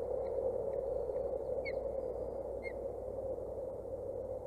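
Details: Osprey chicks aged 27 and 29 days at their nest in Boulder County, recorded by a nest camera on 14 June 2019 while tottering about; a few short, high, downward-bending chirps spaced irregularly over a steady broad hum.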